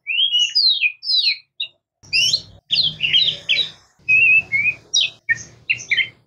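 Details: Oriental magpie-robin, locally murai kampung or kacer, singing descending whistled phrases, then a dense run of sharp chirps and slurred notes with brief gaps and a faint low hum.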